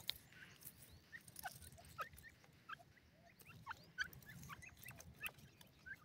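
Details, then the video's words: Grey francolin (gora teetar) chicks from Pakistan feeding and playing: many short, soft, rising peeps scattered irregularly through the recording, several birds overlapping, over a low background rumble. "gora pakistani teetar ki awaz,pheasant bird chicks feed and playing"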